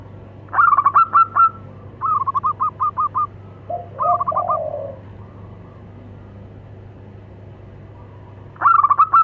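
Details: Local zebra doves, male and female, answering each other: bursts of quick staccato cooing notes, each phrase about a second long, three phrases in succession, a pause, then another phrase near the end over a steady low hum.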